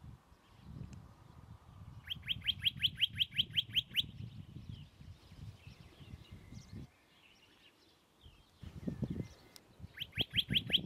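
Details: Western rock nuthatch, one of a nesting pair on crags above Agios Germanos, Greek Prespa, recorded from a distance: a fast burst of about nine loud, ringing, repeated notes, then another burst near the end, over low wind rumble.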